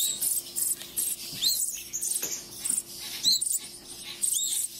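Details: Baby songbirds at a wildlife rehabilitation centre being hand-fed at the end of May: thin, high, squeaky chirps rising and falling in quick clusters, repeated over a constant hiss and faint hum.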